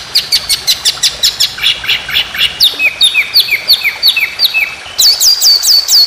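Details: White-rumped shama singing in a competition-bird training recording of long, fast 'tembakan' rolling phrases: a rapid run of sharp high notes, then repeated descending slurred whistles at an even pace, ending in a higher bright burst.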